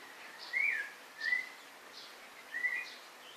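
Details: Three short whistled phrases from a white-rumped shama, each a bright slurred note that rises and then falls, evenly spaced about a second apart over quiet hiss.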